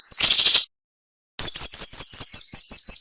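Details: Cinnamon-bellied flowerpecker song, sharp and dense: a harsh buzzy burst, a pause, then a fast series of about ten high thin notes, nearly three per second, dropping slightly in pitch.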